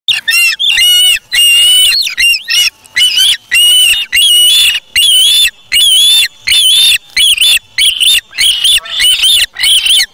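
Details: Osprey chick at the Charlo nest on August 3, 2017, after taking a fish from its parent and feeding itself: loud, piercing whistled calls near the same pitch, repeated in quick uneven bursts about every half second.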